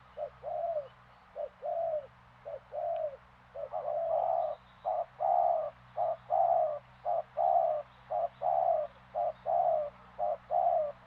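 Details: Spotted dove (tekukur) from Madura giving soft, hollow coos, spaced single notes at first, then a steady run of paired coos about one per second, over a constant low electrical hum.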